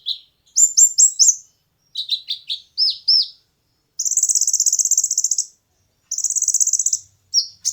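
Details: Kolibri ninja song used as training material for competition birds: high, thin falling notes in quick bursts, then long, fast, buzzy trills of rapidly repeated notes lasting over a second, separated by brief pauses.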